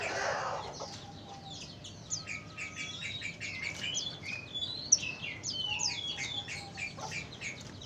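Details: Sooty-headed bulbul song used to attract wild bulbuls: a dense stream of short, quick, high chirps and slurred twitters running throughout, with a soft low rumble at the very start.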